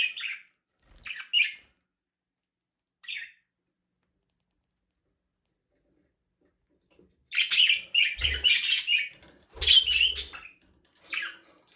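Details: Budgerigars in a small aviary: a few short high chirps early, a long quiet gap, then a dense burst of chattering warbles with low wing or perch thumps near the end.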